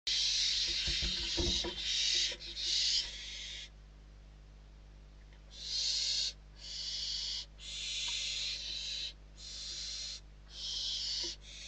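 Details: Hungry barn owl chicks inside a nest in Spain, 21 December 2023, fighting over a delivered bird; long harsh hissing screeches, about nine bursts of one to two seconds, with low thumping and scuffling early on.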